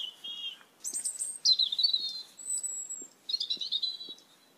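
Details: Asian glossy starlings, many in number, raiding papaya plants in a yard: a sequence of high squeaky whistles, some level and thin, some buzzy and descending, in separate bursts, with faint soft clicks underneath.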